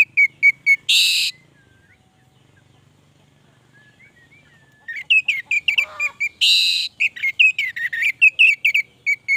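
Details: Orange-headed thrush (anis merah) in gacor song: a few short whistles and a harsh rasp, a long quiet stretch with faint hum and soft distant whistles, then another rasp and a rapid stream of varied whistled notes.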